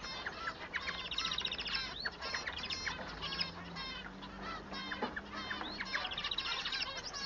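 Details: A singing male society finch, recorded to distinguish him from the female, delivers a dense, continuous stream of chattering, buzzy notes and quick rattles with short upward and downward slurs.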